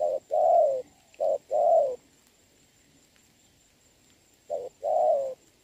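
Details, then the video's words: Spotted dove used as a decoy bird, calling in the rain, recorded 26 November 2022: mid-pitched coos in two phrases, a short note followed by a longer rounded coo, repeated twice, with a quiet gap between. "mưa mà e bổi gù tốt ae"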